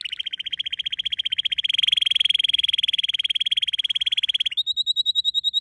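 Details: Pet canary song built from a very rapid buzzy trill of repeated notes that lasts over four seconds, then switches to a slightly higher, cleaner trill of evenly spaced notes.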